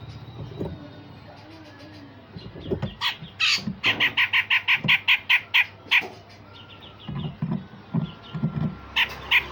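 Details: Harsh rasps and sharp shots from a grey-cheeked bulbul, a song style said to rouse other songbirds in training: scattered low notes build into a dense run of rough, evenly spaced bursts, then fainter chatter and two closing rasps.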